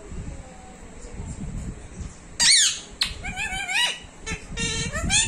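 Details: Pet talking parrot kept at home, giving a series of squeaky, whistled and speech-like syllables with sliding tones, loud broadband squawks at about 2.5 and 3 seconds, and a steady low background hum throughout.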